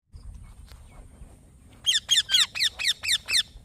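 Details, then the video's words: Green baby parrot chirping: after a quiet start, a run of eight sharp, harsh, downward-sweeping chirps, about two per second, with a faint low hum underneath. "Green Baby Parrot Chirping Sounds"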